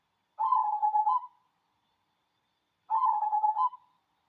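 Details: A local natural cemani zebra dove sings two matching phrases about two and a half seconds apart, each a fast, purring trill of low coos that ends in a short upward lilt.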